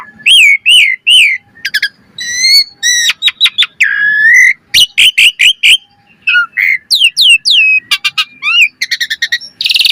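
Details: Asian pied starling song used as a training lure, full of variety: repeated looping whistles, dry rattles, buzzy drawn notes and fast clicking bursts in a continuous, busy delivery.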